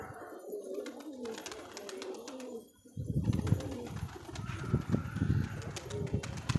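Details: Domestic pigeons kept by their owner, chattering together: low soft murmuring coos in overlapping bursts, louder and denser in the second half, with rustling and clicking noises around them.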